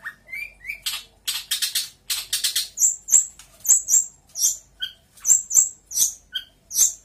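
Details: Long-tailed shrike of the Lampung local type, Indonesia, in loud imitative song. Rising whistles and dense buzzy trills give way to high piercing paired notes repeated roughly every half second, mixed with lower chirps.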